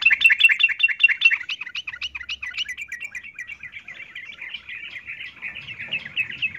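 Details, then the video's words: Breeding female yellow-vented bulbul calling a male: a continuous, lively chatter of quick chirps lasting over six seconds, loudest at the start and slightly softer later. "Trucuk Betina memanggil jantan"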